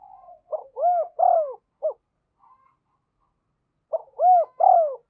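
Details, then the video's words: Spotted dove used as a decoy to lure wild doves in, cooing two full phrases a few seconds apart, each a soft short lead-in, two rounded swelling coos and a brief final note, in quiet surroundings. "Chim Cu Mồi Thúc Và Gáy Gọi Bổi Nhanh Về Cội"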